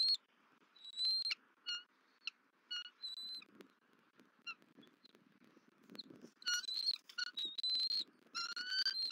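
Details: Bald eagle female calling at her mate on returning to the Southwest Florida nest while he feeds the eaglet, 31 December 2023; thin high whistled notes followed by louder, quick piping chatter near the end.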